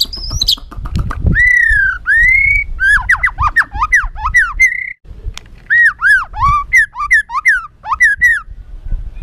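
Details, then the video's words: White-rumped shama in full agitated song, used to provoke other birds into excitement: loud, varied whistled phrases, some swooping and some rising, with rich rolling notes and brief pauses between phrases. "Materan kasar MURAI BATU penuh emosi...pacingan burung agar cepat emosi"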